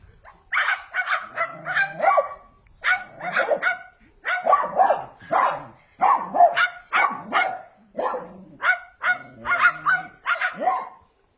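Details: Tame pet cockatoo imitating a dog's barking: a long run of short, harsh, bark-like bursts in quick clusters, about two or three per second, with brief pauses between groups and no other sounds.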